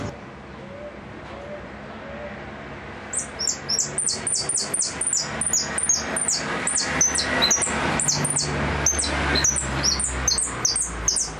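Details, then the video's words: Goldfinch delivering repique song: after a quiet start, a long, fast run of sharp, high descending notes, almost trilled, keeps going steadily over low background noise. "Blanco de repique"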